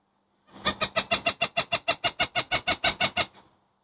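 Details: Scolding call of an agitated Cooper's hawk harassing a long-eared owl, Chicago, November 2023: a long run of about sixteen harsh, rhythmic cackles, roughly six per second, holding one pitch before fading.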